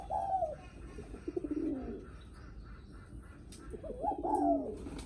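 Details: Spotted doves cooing in the guest-greeting style. Overlapping soft coo phrases, with lower blurred cooing mixed through and a dense murmur of background sound.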